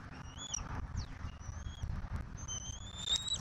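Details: Young bald eagle calling at a Southwest Florida nest during a turtle feeding, 15 March 2024. Faint high whistles, some dipping briefly, the last one longer and stronger, over a noticeable low rumble.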